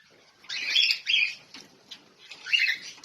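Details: Chirping lovebirds give three loud, raspy chirp bursts, two close together and one after a pause, over a quiet background.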